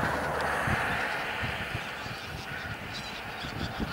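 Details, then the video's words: Bean Geese, a flock of a couple of thousand on a field on Texel in the Netherlands, November 2014; steady massed honking chorus with rapid overlapping calls and low-frequency rumble underneath. "Rietganzen (veel!), Texel"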